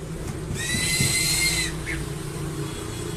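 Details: A crested eagle gives one drawn-out, even whistled note lasting just over a second, clear and ringing, followed by a faint short chirp; a steady low rumble runs underneath.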